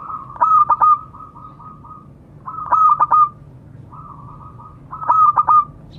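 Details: Local zebra dove, a frequent caller, calling to companions: three rhythmic phrases of quick clipped coos, each followed by a drawn-out murmuring trill, spaced a little over two seconds apart.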